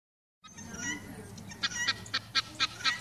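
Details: Pearl (helmeted) guineafowl on a sunny day give harsh, rasping calls after some softer chatter, which rise into a fast series of loud, scratchy bursts about four per second.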